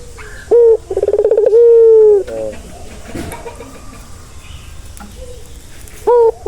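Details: Barbary dove giving one full coo: a brief sharp opening note, a fluttering rolled burr and a long level drawn note. Quiet background follows, then another short opening note begins near the end.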